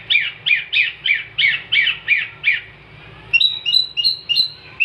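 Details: Long-tailed shrike (cendet), lively 'gacor' singing meant as a master recording for songbirds: a fast series of rough, squawky chattering notes, then a short pause and a sequence of clear, high, sharp whistled notes.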